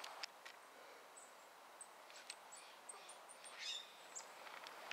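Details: Golden-crowned kinglets, very active in a yard in Corvallis, Oregon: very high, thin, short notes scattered through the recording, faint over a steady background hiss.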